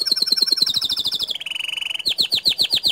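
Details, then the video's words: Canary song in the gacor style, with a rapid descending trill, a low buzzy rattle, then quick, bright repeated upslurred notes. "Kenari Mana Yang Tinggal Diam Setelah Mendengar Kicau Kenari Gacor Dor Ini !"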